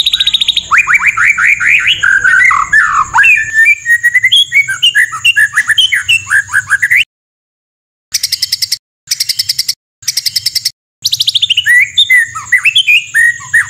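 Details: White-rumped shama tutor recording packed with rough 'shot' phrases: rapid series of rising and falling whistled notes, then sharp clipped bursts separated by abrupt silent gaps, with a steady high whine throughout.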